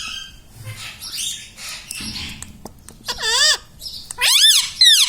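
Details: A talking pet Indian ringneck parrot, said to repeat mummy, papa and radhe radhe, gives soft scratchy sounds, then two loud swooping, harmonic word-like syllables near the end.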